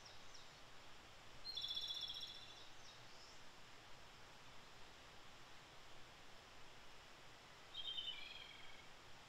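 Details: A Japanese robin (Erithacus akahige) in early May gives two short, high rattling trilled phrases about six seconds apart over steady background hiss.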